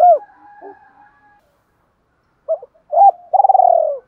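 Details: Spotted dove in thổ voice, a lure recording to prompt a decoy to coo: one clipped hoot and soft murmurs, a silent gap, then two short notes leading into a long trembling rolled coo.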